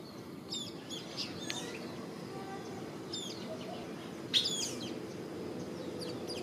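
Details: Social flycatcher morning song: short, high, scratchy chirps in scattered bursts a second or two apart, over a steady low background rumble.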